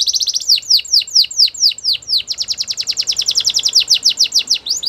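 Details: Training song of a canary: slower descending whistled sweeps, then a quick, even trill of short bright notes repeated many times per second, high-pitched and clear with no other sounds.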